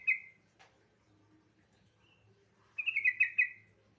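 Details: Yellow-vented bulbul singing to prompt other bulbuls to sing. A brief chirp and a click lead into a quiet stretch with low background hum, then a lively run of bubbly, warbled notes near the end.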